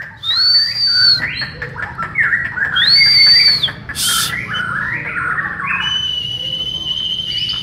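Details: Borneo white-rumped shama training alongside other birds. Two loud, clear high whistles are held for about a second each, with buzzy, chattering notes between them, then a long steady whistle that fades away.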